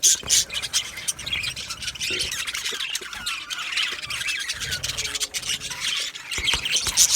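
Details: Budgies chattering in an aviary colony, a continuous mix of scratchy high squawks and warbling chirps from many birds overlapping.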